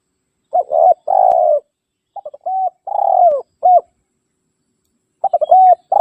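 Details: Spotted dove challenging rivals, a call used to bring wild doves close: irregular bursts of soft coos, some short and clipped, some long and purring with a falling end, broken by pauses of up to two seconds.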